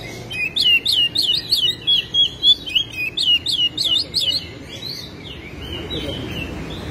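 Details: Oriental magpie-robin (kacer) singing hard, used as a lure to make other kacer sing: a brisk series of bright, high, repeated slurred whistles, about three per second, fading into softer scattered notes over steady low background noise.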